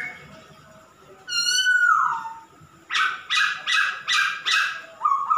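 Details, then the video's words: A vocal male masked laughingthrush gives a drawn-out, falling, reedy note rich in overtones. A pause follows, then a run of five harsh, rasping bursts about every half second, closing with a short whistled note. "Kicau burung Poksay Hongkong jantan gacor"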